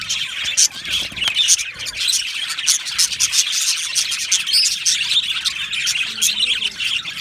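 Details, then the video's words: Budgie parrot colony in an aviary, chirping nonstop: a thick layer of shrill twitters and clicks from numerous birds, with occasional louder sharp chirps standing out. "Australian Budgie parrot chirping sounds"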